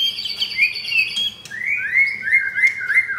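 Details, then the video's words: White-rumped shama of the blorok (pied) variety, fourth captive generation, caged in Jakarta, Indonesia: long high steady whistles followed by a string of repeated up-slurred notes about three per second. "Murai Batu F4 Blorok Materi Kasar"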